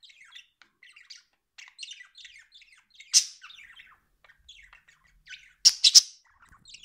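A budgerigar chatters in quick, high warbled chirps and twitters, broken by three sharp, loud squawks. No other sounds stand out.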